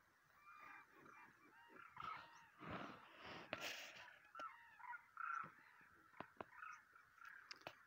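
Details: Demoiselle cranes on migration in March 2023, giving rolling, rattling croaks that overlap in a steady chorus with several loud bursts, plus faint high chirps above.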